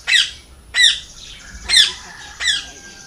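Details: Loud parrot, presented as a natural calling sound: four harsh, broadband squawks, each a short rasping burst spaced under a second apart, in a quiet indoor setting.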